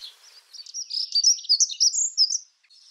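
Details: Dunnock in a UK garden gives a quick, high, scratchy warble, a hurried jumble of thin notes tumbling along for about two seconds, with faint background hiss.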